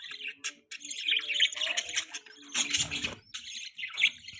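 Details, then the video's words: Young budgie kept as a pet gives continuous scratchy chirps and chattering twitters, with a few louder rasping notes and faint low background sounds. "beautiful budgie baby|budgie sounds|budgie chirping sound"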